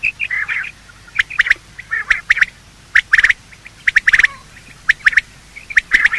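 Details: Morning calls of male and female quail, as used by hunters: clusters of sharp clicking notes alternating with rough, nasal chattering phrases, repeated roughly once a second.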